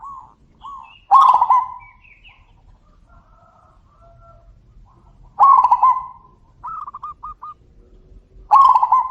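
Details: Three loud, bubbling trilled coos of a zebra dove, about four seconds apart, answered in between by a second dove's quick series of short coo notes; faint chirps of another bird early.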